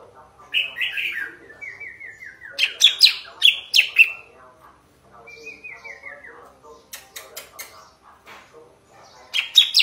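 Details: Sooty-headed bulbul song, described as clear-voiced and powerful: bright slurred chirps mixed with falling rippled trills, loud bursts at the start and end and quieter trilling between.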